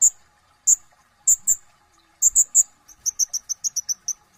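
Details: Brown-throated sunbird (kolibri ninja) chattering: spaced sharp high chips, a triple burst, then a rapid run of about nine lower clipped notes, over a steady faint hum.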